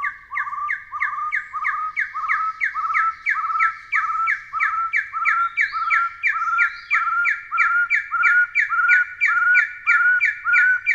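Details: Taiwan partridge giving a fast, even string of paired whistled notes, roughly one and a half per second: a clear mid-pitched whistle with a brighter higher note on top, repeated without pause for the whole stretch.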